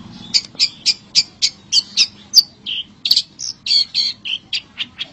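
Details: Natural song of a long-tailed shrike: a rhythmic string of sharp chipping notes roughly every quarter second, shifting into varied harsher and squeakier syllables toward the end.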